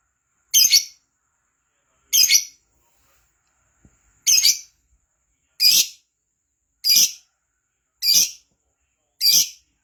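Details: Lovebird in lively gacor singing, used as a lure to make other lovebirds sing quickly: harsh, buzzy high chirps, sometimes doubled, spaced about a second or more apart, with a quiet gap midway.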